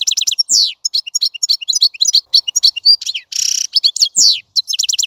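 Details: European goldfinch singing a fast, tinkling twitter of high clipped notes, liquid downward slurs and a brief buzzy rattle, delivered almost without pause.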